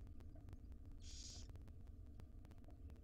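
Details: Wild barn owl chicks, a brood of five in a nest box, begging while their mother feeds them breakfast; one short, breathy rasping hiss mid-clip over low hum and ticks.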